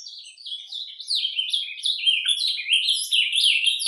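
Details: Ultramarine grosbeak in nature performing surdina song, starting softer, then swelling into louder, rapid chattering slurs and zigzag notes in a hurried, irregular sequence.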